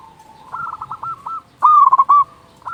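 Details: Zebra dove calling, a local type with a loud voice, used to entice other doves. A fainter stuttering cooing phrase is answered by a loud close one of rapid rolling notes.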